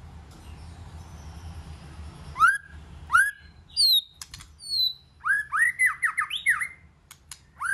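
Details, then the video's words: White-rumped shama singing in many voices: sharp upward-swept notes, high thin whistles and a fast burst of looping warbled phrases, loud and varied over a low background hum. "chòe lửa hót nhiều giọng"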